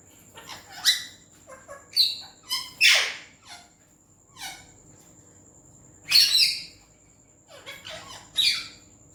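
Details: Indian green ringneck parrot, described as talking in Urdu/Hindi, utters busy clusters of raspy syllables of mixed pitch, louder bursts near the start and again after a pause, over a thin steady whine.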